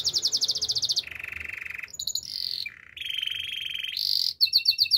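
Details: Canary singing a chain of distinct trills: high rapid chirps, a low buzzy roll, a brief dip, a steady mid trill, a high trill and clipped notes.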